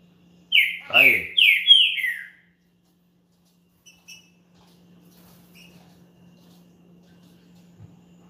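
A Green-winged saltator gives one loud, rich whistled phrase of about four slurred, falling notes lasting two seconds, then near silence over a low electrical hum.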